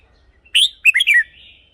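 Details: Red-whiskered bulbul, recorded for decoy use or to stir caged birds: one short, clear phrase of three bright whistled notes, rising then tumbling downward, in an otherwise quiet setting.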